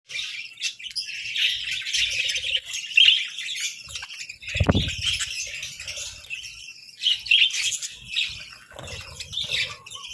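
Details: Several pet budgerigars feeding on boiled eggs and bread at breakfast, giving a steady stream of high, scratchy chirps and warbles with brief squawks. A low thump sounds near the middle.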